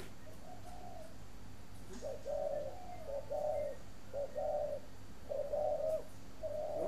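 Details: Spotted dove kept at a breeding aviary in Ba Vì, Hanoi, Vietnam, cooing in a series of soft, hooting, low phrases, each a short cluster of rounded notes, repeated about once a second, over a steady low hum.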